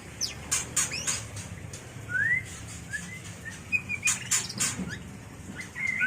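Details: Mating song of a white-rumped shama, played to train birds and lure them: short upswept whistles and level whistled notes between crisp high clicks.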